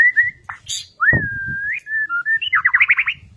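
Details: White-rumped shama kept in a cage, singing in a fierce, energetic fighting style: long clear whistled notes, short gaps, then a fast rattling series of rising notes. Low background rumble.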